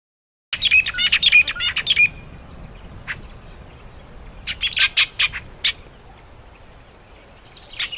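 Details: Red-billed buffalo weaver (Bubalornis niger) giving a fast burst of harsh, chattering notes, then scattered squeaky calls over a steady high insect-like hiss.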